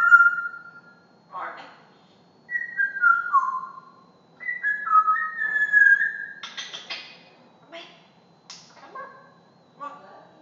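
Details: Female pet African grey parrot imitating farm animal sounds and talking: clear whistled notes, some falling and some level, in short runs, followed by harsh broadband squawks and short chattering calls, with quiet gaps between bursts.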